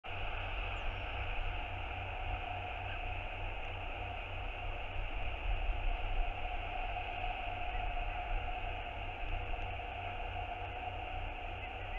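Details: Steady wind roar and a low electrical hum fill the whole stretch, with no distinct animal calls standing out.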